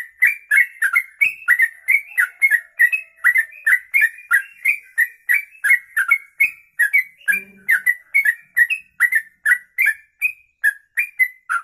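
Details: Long 'ropelan' song from a kongslet sooty-headed bulbul (trucuk), recorded for use as a tutoring master: nearly twelve seconds of fast, continuous whistled notes with bright clicks and a faint low hum midway.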